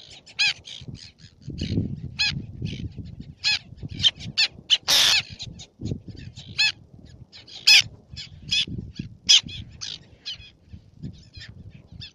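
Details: At Fares, Baa Atoll in the Maldives, black-naped terns utter sharp, scratchy high-pitched calls, short notes scattered irregularly with one longer rasping squeal near the middle, above a soft low background rumble.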